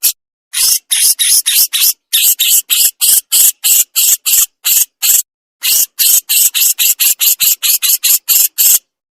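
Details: Javan crested jay giving full besetan with pauses, a master recording: an insistent run of loud, buzzy, rasping notes repeated in quick regular bursts, interrupted twice by short silences.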